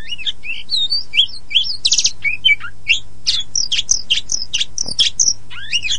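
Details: Caged white-rumped shama (kacer poci) singing to lure silent or young birds into song: rapid varied whistled phrases, sliding upward and downward notes with buzzy trills interspersed, steady continuous delivery over a low background hum.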